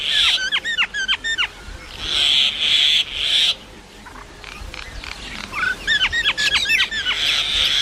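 Common myna gives quick bursts of sharp, chattering whistled notes, alternating with steady high rasping whistles and gurgles. There is a faint outdoor hiss underneath.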